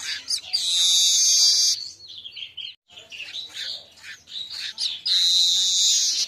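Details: Asian golden weaver at midday, sung as a lure for training cage birds: a long rasping buzz, then a run of fast chirps and twittering, ending in another sustained wheezy buzz.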